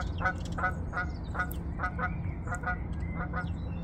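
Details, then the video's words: Background geese near a swan eating seeds give repeated short, harmonic honks, roughly ten in four seconds, unevenly spaced, over low rumbling noise and faint high bird chirps. "geese honk in the background"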